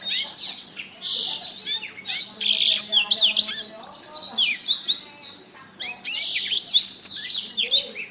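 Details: Canary master song for training, an almost continuous stream of high twittering trills, whistles and sharp slurred notes, broken by one short pause.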